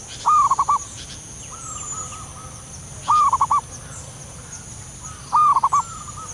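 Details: Zebra dove, local and wild, calling softly: three loud bursts of quick, staccato cooing notes roughly every two and a half seconds, with fainter answering coo phrases in between over a constant hiss.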